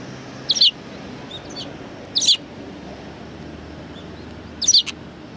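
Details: Sparrows at Tenmangu shrine in January 2019 chirping loudly, three bright high chirps spaced about two seconds apart with faint softer calls between them.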